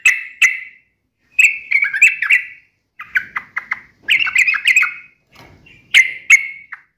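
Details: Sooty-headed bulbul, kept as a singing bird, in lively full song: bursts of bubbly, chattering notes around mid-high pitch, separated by short pauses, with sharp clicking accents.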